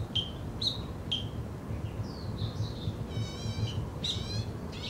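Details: Black bulbul at Zhiben Forest Recreation Area, Taitung, Taiwan, on 3 July 2013, giving three quick, high slurred notes, then thin whistles and nasal, mewing calls, over a steady low rumble.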